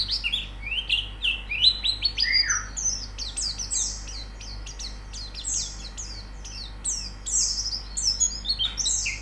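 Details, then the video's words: White-eye song played as training audio to bring a bird into song: irregular phrases of sharp, high, descending chirps, one lower swooping whistle early, and quiet gaps between bursts. "Terapi Pleci Cepat Gacor Buka Paruh"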